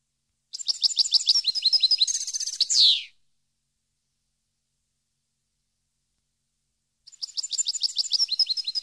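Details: European goldfinch song recorded for training captive birds: a rapid, high twittering phrase of liquid chirps and buzzy notes ending in a descending slurred note, then about four seconds of silence before another twittering phrase begins.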